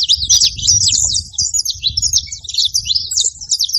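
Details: Saffron finches in numbers, giving quick high chirps and short slurred notes in an overlapping stream, louder at first, with faint low background sound.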